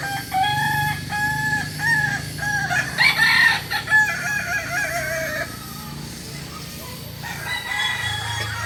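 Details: Kokok Balenggek rooster, a village chicken from Solok, West Sumatra, whose crow is built of three to nineteen tiers. A sustained crow of several pitch steps lasts about five seconds, then quieter background crowing and low rumble follow.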